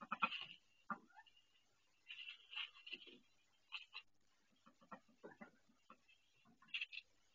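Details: Female duck laying her first egg, in pain, on a nest indoors; scattered hoarse cries and short low quacks come with irregular pauses.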